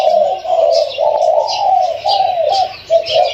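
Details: Newly caught captive Spotted Dove with a mid-to-large voice giving a continuous run of low mellow coos, phrases linked with slight dips, over a busy background of high-pitched noise.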